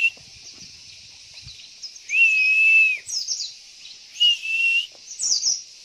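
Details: White-eye lure call played to coax males into calling and singing. Two long, level, clear whistles, each about a second, each break into quick high twittering chips. Steady high background hiss throughout.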